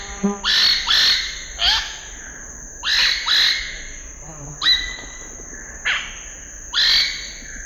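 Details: Scarlet-rumped cacique giving loud, sharp calls that rise and then fall, repeated in irregular bursts about once a second, over a constant high-pitched hiss.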